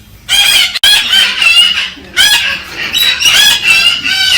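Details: A galah cockatoo gives loud, harsh, rasping screeches in two long runs of grating, wavering notes broken by a brief pause, calling to stimulate the female for mating.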